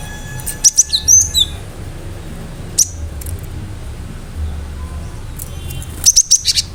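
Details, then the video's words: Cinereous tit singing to draw responses from other birds: scattered high, clipped whistles in small groups with long quiet spaces, ending in a quick run of four sharp notes; faint background hum. "Gelatik batu gacor awas burung mu akan ikutan gacor"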